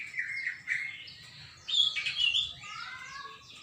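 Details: Greater green leafbird song recorded 21 December 2024, with long slurred whistles and a loud, buzzy, squawking phrase in the middle, followed by softer rising notes.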